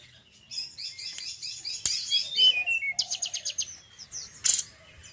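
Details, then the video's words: Male forktail singing a well-regarded song: a dense rapid chatter of high chirps, then a faster series of sharp clicking notes and a brief loud burst near the end. "TLEDEKAN GUNUNG JANTAN YANG BAGUS KICAUANNYA"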